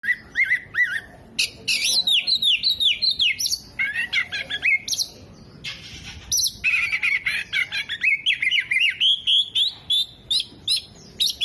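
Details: Oriental magpie-robin singing vigorously with its tail spread, mimicking hummingbird, jenggot and lovebird phrases: dense run of loud, high whistled and buzzy notes, rapid downslurred rolls and rising trills, briefly pausing midway before resuming.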